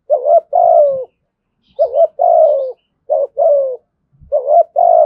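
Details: Thổ sấm-style spotted dove giving repeated doublet coos, a clipped note followed by a long descending coo, four phrases evenly spaced, with faint low knocks between them.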